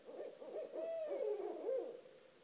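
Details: Two Barred Owls living outside a house call at 1:30 am, giving low, wavering hoots with sliding, overlapping notes over about two seconds, sounding like more than one bird calling together.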